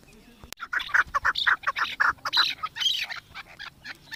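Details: Chukar partridge, Pakistan's national bird, excited and circling around a female; a burst of rapid, harsh clucking notes in quick succession, uneven in spacing, with a brief click just before they begin.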